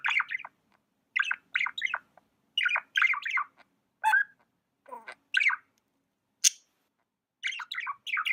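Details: Tame budgerigar chirping in quick clusters of two or three warbled notes, repeated every half second or so, with one sharp high click and a slurred note between the bursts.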